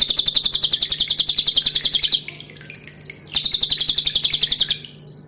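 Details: Pin-striped tit-babbler singing as a tutor recording for cage birds, a loud, dense song with clear dripping water: a rapid train of sharp high chattering notes for about two seconds, a pause, then a second shorter burst.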